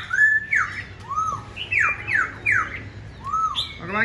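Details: Black-throated laughingthrush, tame and caged, singing all day: a sequence of loud downslurred whistles, several in quick succession, plus arching notes, ending with a brief harsh burst, over low background hum.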